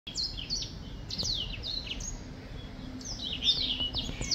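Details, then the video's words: Black-throated finch singing, recorded in 2023: bursts of high, sharp chirps that slide downward come in two clusters with a pause between them. A steady low hum sits underneath. "Black throat finch singing / 黑喉燕歌唱"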